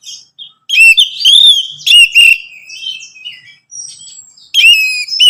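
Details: Anis merah, the orange-headed thrush, in song to spur a caged bird: loud warbled whistles with rolling slurs, a softer thin whistle in between, then a fresh burst of bright notes at the end.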